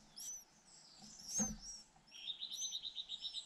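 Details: White-eye nestlings, two hungry young fed in turn by both parents, begging: thin high chirps, then a fast even run of short squeaky notes repeated several times a second.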